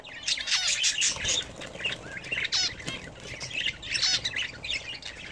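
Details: Home-kept budgerigars bathing produce loud, rapid chattering with sharply rising chirps and raspy squawks in quick bunches, some wing-flutter mixed in among the calls.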